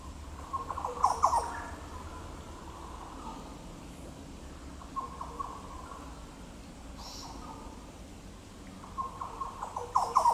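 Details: Yellow Oriole (Oriolus flavocinctus) at Goomboora Park, Cairns, Queensland, Australia, 9 September 2022, gives short bursts of liquid, rolling mid-pitched notes roughly every four seconds over a faint steady hum.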